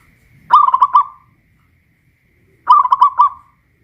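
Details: Hoisted cage-kept zebra dove of the local Pajajaran type, West Java, giving two crisp phrases of quick bubbling coos, each with a trailing held note, separated by about two seconds of quiet.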